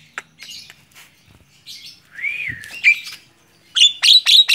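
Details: Tame Javan myna singing while perched on a person's hand: a rising, bending whistle, then harsh notes and a closing burst of four quick, sharp, repeated chirps.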